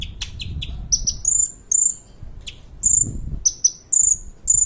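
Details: Sunbird known locally as kolibri ninja, recorded as a training track for other songbirds: a few quick chips, then shrill high whistles repeated in short bursts, each about half a second long, over a faint low rumble.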